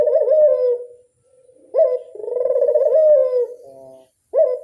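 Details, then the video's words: Rolling ringneck dove coos made to lure other doves: a purring, falling coo, a pause, a sudden rising note into a long vibrating coo, then another rising start. "Pancingan burung puter mamtap nembak"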